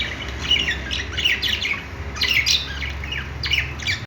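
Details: Budgies at play utter clear squeaky chirps and short warbled phrases in quick groups, with a low hum behind.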